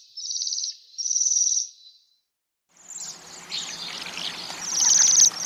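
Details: Waxwing calls: two clean, high trilled notes, then a pause followed by a noisier stretch of overlapping high trills against a rustling background.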